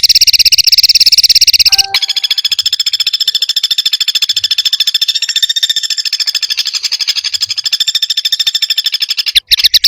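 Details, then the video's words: Perenjak or prinia in a tembakan combination sound: a rapid buzzy trill, a sudden click, then a long stuttering series of high notes that waver slightly in pitch. "Tembakan Burung perenjak|suara kombinasi"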